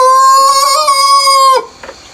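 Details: Early-morning countryside rooster before sunrise giving the loud final stretch of a crow: a steady, rich, harmonic note held about one and a half seconds, then cut off into quiet background.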